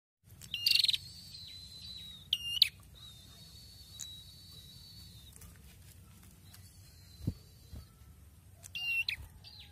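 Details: Red-headed prinia singing well again after its moult, giving short bursts of sharp, high chirping notes with a long steady high whistle between them, over a low background hum.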